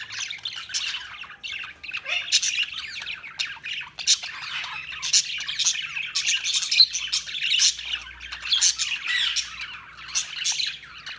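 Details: Several budgerigars chattering continuously, a dense stream of harsh squawks, buzzy chirps and warbles, high-pitched and steady across the recording with frequent sharp peaks.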